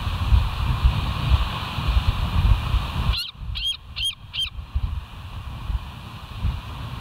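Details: Bald eagle at the West End nest, caught by a live nature camera on 28 September 2023 around 07:04; after three seconds of low rumbling background, four short high piping notes follow in quick succession, then the rumble resumes.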